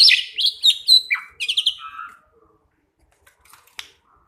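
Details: Two pied mynas singing: a burst of loud, varied whistled and chirping notes, some sliding down, over about two seconds, then near silence with a few faint clicks.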